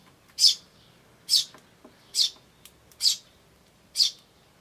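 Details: Eurasian tree sparrow chicks and adults, recorded 10 May 2013 with a camcorder: five short high chirps, evenly spaced about one per second, clean and bright against a quiet background.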